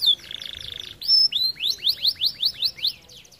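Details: A red-variant canary, its song played to stimulate other canaries, sings a buzzy rolling trill, then a bright whistled phrase and a quick series of about eight rising, sweeping notes, each a fraction of a second apart.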